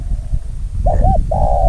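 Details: Young male decoy spotted dove on its first outing, its calling growing from short bursts of seven or eight notes into fuller sequences: a looping double coo, then a steady held coo, with strong low wind-like rumble throughout.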